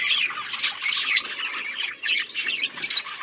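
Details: Budgies warbling and squawking in short bursts of bright, scratchy notes, crowded together with little pause.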